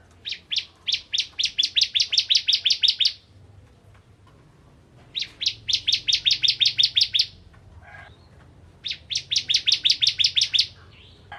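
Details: Bar-winged prinia (Prinia familiaris) song used to provoke other prinias to sing: three bursts of rapid, high, sharp repeated notes, each about two to three seconds long, with brief pauses between.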